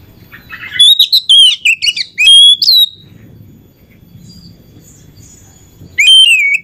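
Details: Lure song of an Oriental magpie-robin for exciting other magpie-robins: a rapid phrase of high whistles and downslurs, a few seconds of near silence, then one more loud whistled phrase.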